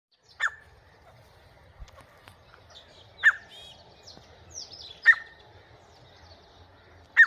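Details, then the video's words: Grey francolin calling in a house: loud sharp notes roughly every two to three seconds, four in all, with fainter chirps from other birds between them. "grey Francolin calling in House"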